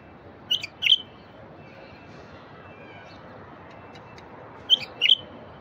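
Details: Song of a wild bulbul meant to get quiet bulbuls singing: a pair of short, clear, bubbly notes, a pause of about four seconds, then another similar pair, against a steady faint hiss.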